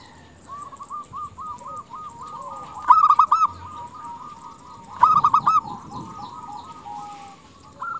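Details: Calling female zebra dove drawing males: two sharp bursts of four rapid, rolling coo notes, about two seconds apart, rise above continuous quieter cooing from many other doves.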